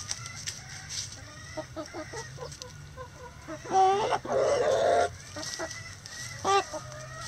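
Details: Backyard chickens doing daily chicken activities: scattered soft clucks and low murmurs, then a longer, louder drawn-out squawk near four seconds followed by a harsh sustained call, with another short loud cluck near the end.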